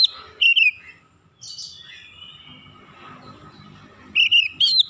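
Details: Oriental magpie-robin calls: short clusters of whistled, warbled notes at the start and end, separated by a quieter stretch with a faint drawn-out whistle and low background noise.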